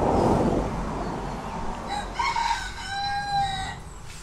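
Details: Red junglefowl kept in Thailand while hens dust-bathe; after a rustling start, a drawn-out harmonic crow runs from about two to nearly four seconds, ending in a long, level, ringing note, over low rumbling background.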